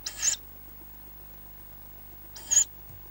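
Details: Tawny owl chicks, five fast-growing young in their nest, give two short, harsh hissing wheezes about two seconds apart, with a quiet low hum behind.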